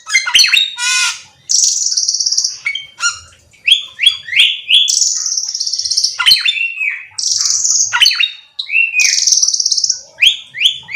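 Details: Lengthy black-winged myna song alternating rising whistled notes with long buzzy rattles and sharp squawks, repeated in a lively, continuous stream.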